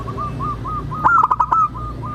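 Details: Local zebra dove singing as a lure for other doves to sing and answer: soft, evenly spaced coo notes, then a louder rapid stuttering burst, then soft notes again, over faint low hum.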